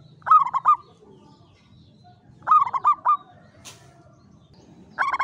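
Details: Javanese zebra dove, a local bird kept in a classic Mataram cage, giving klowongan-style song. Short phrases of three or four clear, low cooing notes come roughly every two and a half seconds, with faint background hum.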